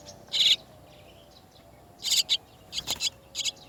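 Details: Harsh, scratchy bursts from chestnut-tailed starlings as parents bring chicks out of the nest: one loud rasp, a pause, then a cluster of quick grating notes in pairs.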